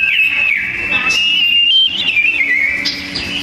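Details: Duelling sooty-headed bulbuls in loud, dense song; a continuous whistled line wavers up and down with short trills and a few higher accent notes.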